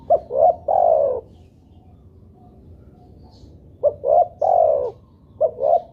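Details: Spotted dove (tekukur) used as a lure call; deep mellow coo phrases of short notes ending in a long coo, separated by a pause of over two seconds.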